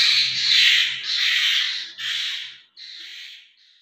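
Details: Asian koel chicks in Pakistan, giving harsh, broad squawking calls in a run of about four rasping bursts, each roughly half a second to a second long, fading toward the end.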